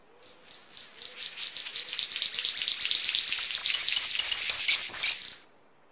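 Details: A male King of Saxony Bird-of-paradise in high-elevation cloud forest gives its territorial call, warning neighbouring males and advertising to females, a long crackling, static-like hiss swelling over about five seconds, high and rasping, with faint low hoots beneath.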